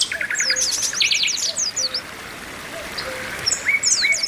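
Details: Group of Oriental white-eyes, a female calling to stir males into song: bursts of high, tumbling chirps and short trills at the start and end, with a quieter stretch of thin, rising notes between.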